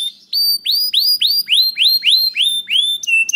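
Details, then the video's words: Canary song meant to trigger other canaries to sing: an even series of upward-curving whistled chirps, about three or four per second, ending on lower flat notes. "Sekali Putar Kenari Lain Langsung Nyaut Bunyi Gacor || Voice of Canary"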